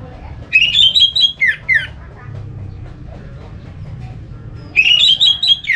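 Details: Orange-headed thrush song meant to prompt other thrushes to sing: a warbled whistled phrase ending in two downslurred notes, a pause of about three seconds with low hum, then the warble begins again.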